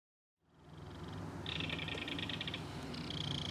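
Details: Belted kingfisher feeding its baby fish at a mud-bank nest. A low background hum sits under a rapid, clattering rattle of about one second, and a thinner rattle follows.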